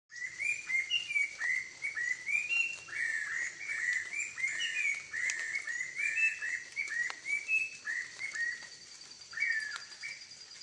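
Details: Several orange-breasted laughingthrushes (Garrulax annamensis) chatter in a busy, overlapping stream of short, slurred mid-pitched notes over a steady high insect hiss.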